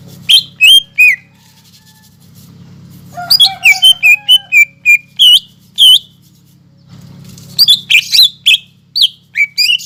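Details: Greater green leafbird singing energetically, played to stimulate a silent caged leafbird: scattered sharp whistles, then a dense flurry of rapid chirps and slurred notes, and a final burst of bright phrases over soft background hum.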